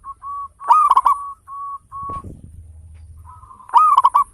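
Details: Big-voiced local zebra dove, a lure to get other birds singing: short level coos lead into a loud rolled phrase, a pause with a low thump, then another loud rolling cooing phrase.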